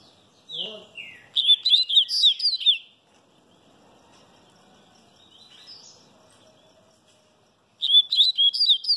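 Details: Papa-capim baiano (Sooretama seedeater) singing while sunbathing: a quick burst of high, twittering, warbled notes that slide up and down, a pause with faint background hum, then another fast chattering phrase.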